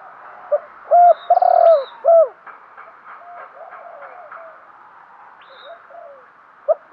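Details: Decoy spotted dove coos to attract wild birds: a cluster of four mellow, bending coos with a rolling middle note, followed by quieter faint notes and a single closing coo.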